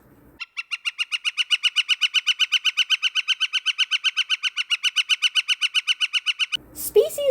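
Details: A Northern Flicker gives a loud, even run of 'wick' notes, about four per second for six seconds, then a brief rustle; call.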